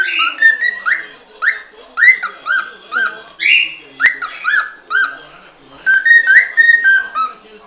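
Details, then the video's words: Cockatiel singing a lively run of short whistles, each sweeping upward then dropping, repeated quickly with a few longer level notes near the end. "شاهد اروع غناء من طيور الكوكتيل خرافي"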